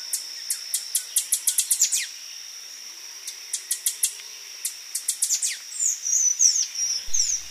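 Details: Bay-headed tanager giving bursts of high, thin, downslurred notes, accelerating into rapid series, pausing, then resuming. A steady high whine continues underneath, and a few twittering notes come near the end.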